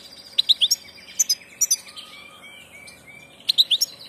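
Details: European goldfinch of the passage, giving quick bright chirp clusters at the start and end, with a series of thin, level whistled notes repeated in between.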